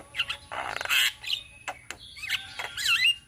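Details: Javan mynas from Indonesia singing as a group in ombyokan style: a loud rasping squawk, a few scattered clicks, then buzzy notes and a bright twisting whistle near the end.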